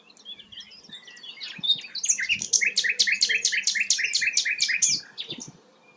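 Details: Rare sikatan londo flycatcher giving soft high warbles that build into a loud run of sharp, evenly repeated chipping notes, then fade away.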